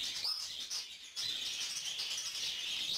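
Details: A young female lutino cockatiel, recently weaned from hand-feeding, gives a harsh, raspy, near-continuous hissing chatter, high-pitched and breaking briefly once, begging an adult male for food.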